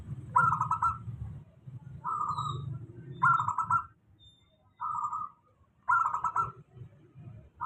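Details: Local zebra dove lure song, steady, aimed at doves reluctant to sing. Rolling, pulsed cooing phrases repeat roughly every one to one and a half seconds, some louder and ringing, over a faint low hum.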